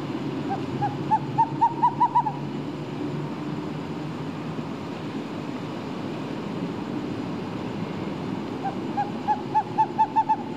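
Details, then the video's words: An owl gives two quick runs of about seven mid-pitched hoots, each run rising slightly, over a steady low rumble like distant traffic. "owl hooting sound"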